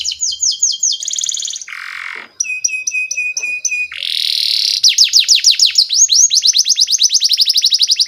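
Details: Canary song as a training lure for young birds: high double notes, a coarse buzzy phrase, clipped repeated notes, a harsh buzz, then an accelerating trill of sharp downslurred notes lasting several seconds.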